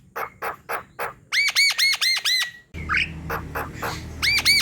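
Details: Javan myna in strong song, a lure for mynas that are slow to sing: a few clicks, then a run of loud harsh arched notes, a brief squeak and clicks, and more arched calls at the end.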